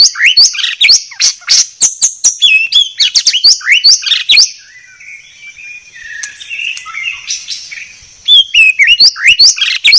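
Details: White-rumped shama in clear song: rapid, high bursts of chirps and upswept whistles, a softer passage of low warbling notes, then a return to loud quick chirping.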